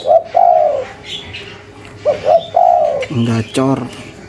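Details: Local spotted dove giving cetrekan-style coos: short double notes followed by a drawn-out low coo, twice, then a brief buzzy harmonic sound near the end over faint chirps.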